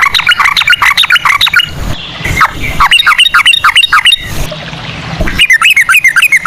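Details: Sooty-headed bulbul in a cucak rowo-style ropel, offered as a lure: quick runs of slurred, falling notes, broken by two short gaps, with hissy background between the bursts.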